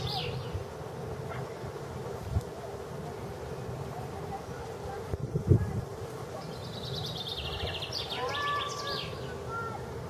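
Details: Common chaffinch song, Tsaritsyno museum-reserve, Moscow, 18 April 2015. The bird delivers one bright phrase of repeated high notes falling into a terminal flourish late in the recording. A low background hum and a few soft knocks are heard.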